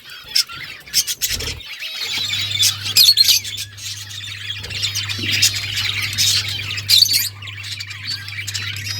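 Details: Several pet budgerigars, Australian parrots, keep up a continuous scratchy chatter of trills, clicks and squawks, with a steady low hum behind.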